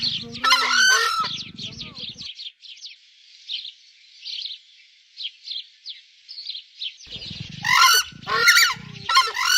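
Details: Screamer calling with loud trumpeting honks at the start and end, separated by a quieter stretch filled with thin, high chirping from other birds.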